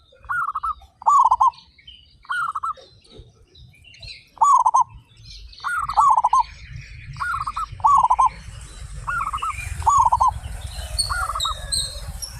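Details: Local zebra doves, 35 birds, singing actively and loudly; rolling staccato coo phrases repeat about every second, while rising hiss and rumbling noise and high chirps fill the later part.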